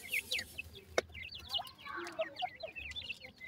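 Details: Several francolin chicks give a busy stream of high downslurred peeps, overlapping one another, with a single loud knock near one second.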